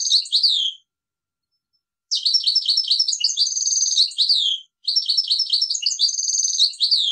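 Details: Goldfinch phrases separated by short pauses: bright tinkling twitters, steady ringing trills and slurred falling notes, crisp and high with no background noise.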